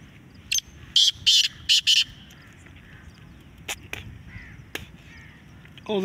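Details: Black francolin in a calling contest: a quick burst of four or five sharp, grating high notes over about one second, then a few faint clicks, with a man's voice briefly at the end.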